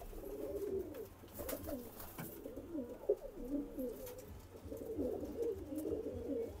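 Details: Pigeon being paired with a new mate, uttering soft, low rolling coos in irregular bursts across the recording, over faint clicks and background hiss.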